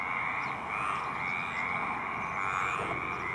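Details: A male Baillon's crake at Poça da Amoreira gives a continuous creaky, frog-like rattle, steady in pitch, against constant background noise.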